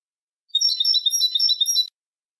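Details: European goldfinch song for training young goldfinches, a single rapid tinkling, liquid twitter lasting over a second, bright and high, with a clean silent background.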